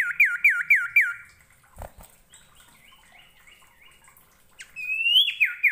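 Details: Common iora, its song played to train and provoke other ioras: four quick hooked whistles in a row, a soft stretch of faint twittering, then a loud rising whistle followed by downslurred notes.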